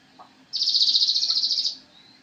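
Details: Javan cochoa song used as a master recording for training songbirds: a single high, buzzy, rapidly pulsed trill lasting just over a second, preceded by a faint short note.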